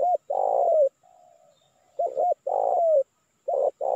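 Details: Spotted dove coos used to call in wild doves in Indonesia. A loud, long, gravelly falling coo is followed by a softer, fainter coo. Then come a double note, another drawn-out coo and the start of the next phrase.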